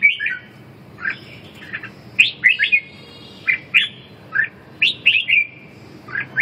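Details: Red-whiskered bulbul in competitive 'ché' singing, meant to restore a bird that has lost its fire and strength: short, bright, rolling whistled phrases about once a second, separated by brief pauses, over a faint low hum.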